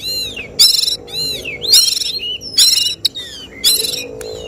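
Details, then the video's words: Oriental magpie-robin at a songbirds contest, giving the 'tembakan' shooting phrases that judges seek: loud, rich whistles arching downward, alternating with harsh buzzy bursts roughly once a second, over a low murmur. "Suara tembakan Kacer yang diincar juri saat lomba burung berkicau"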